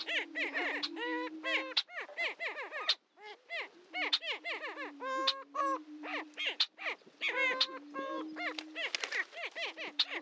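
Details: At the historic Dunn Ranch Prairie lek, Hatfield, Missouri, greater prairie-chickens produce bursts of frantic cackling, clusters of harsh rising-falling notes with brief pauses, over a low droning boom.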